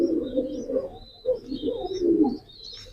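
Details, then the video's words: A pigeon coos in a low, rolling, gurgling voice over steady twittering from small birds in the background. "pigeon call and sound effect,কবুতরের ডাক।"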